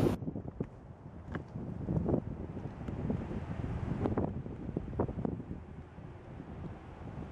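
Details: Wind buffets the microphone at Moose Hill Wildlife Sanctuary in Sharon, Massachusetts, with scattered dull knocks and thumps, and no animal voices.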